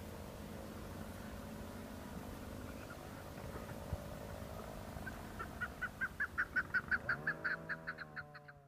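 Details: Chukar partridges calling in the hills of Budgam, Kashmir, in October 2021. After a few seconds of low background noise, a rapid series of regular clucking notes builds. A low, drawn-out falling tone sounds near the end.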